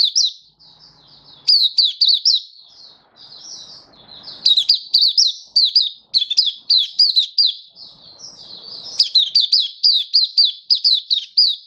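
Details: Hobby-kept oriental white-eye (Mata Puteh) singing its happy 'buka' song on 24 February 2023, an almost unbroken run of high, quick chirping phrases with softer warbled notes between, faint low rumble underneath.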